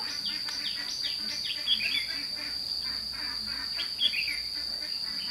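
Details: At Thanh Liem, 29 May 2016, a lure red-whiskered bulbul calls wild birds for trapping. Quick series of short chirped notes runs into a warbled flourish, backed by an unbroken shrill insect buzz.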